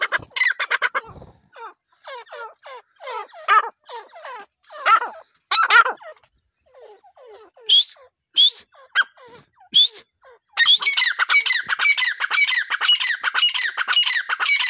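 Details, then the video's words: Grey partridge pair, called teetar, calling: a run of short harsh notes repeated about twice a second with brief pauses, then a dense, continuous burst of rapid overlapping squawky notes toward the end. "teetar pair voice | Partridge birds call"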